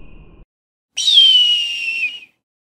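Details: Eagle giving a single high, piercing scream that starts sharply and slides steadily downward over about a second and a quarter, after a brief faint low rumble.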